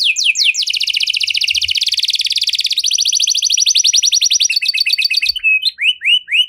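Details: Canary singing the luxurious 'cengkok mewah' song, which is presented as triggering other canaries to sing. A dense, very rapid buzzing trill runs for about four seconds, then breaks into scattered chirps and rising whistles.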